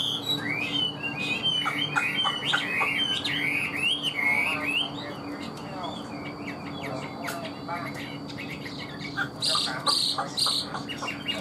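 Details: Cage-kept Chinese hwamei delivering fluent looping whistled phrases that give way to sharper clicking and chattering notes, over a steady hum.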